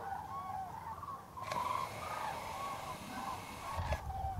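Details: Common cranes calling at Tablas de Daimiel in November 2012, short arched trumpeting notes repeated by many birds over a constant chorus, with one or two sharp knocks.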